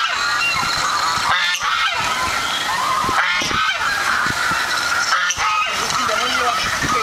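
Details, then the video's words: A flock of geese reacting to hearing their own voice: steady, overlapping harsh honks run without pause, forming a noisy wall of calls with a few sharper bursts standing out. "When Geese Hear Their Own Voice"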